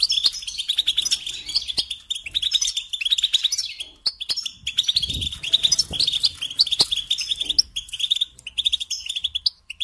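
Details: European goldfinch singing, meant as a model for young birds learning song: sustained fast, tinkling twitter and chattering trills, with several brief pauses and occasional clicks and thumps in the background.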